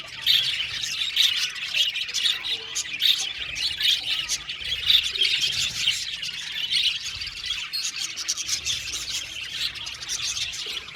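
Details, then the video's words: A colony of budgerigars in an aviary keeps up a busy warbling chatter, high chirps and squeaky whistles overlapping continuously, louder in the first half and then steadier. "Beautiful Budgies chirping sound"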